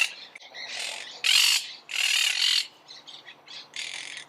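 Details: Monk parakeet giving long, rasping screeches, two loud drawn-out ones in the middle, framed by softer, shorter harsh notes.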